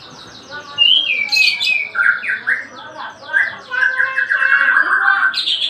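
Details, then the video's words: White-rumped shama, daily singing: a varied run of rich whistled phrases, some sliding, others clipped and warbled, shifting between high and mid pitches for nearly six seconds, with faint background hiss. "KICAUAN HARIAN MURAI BATU"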